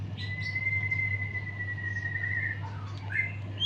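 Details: White-rumped shama after moulting, full song: one long, clear, level whistle held for over two seconds, then a few short slurred notes, fairly faint against a loud steady hum and background hiss.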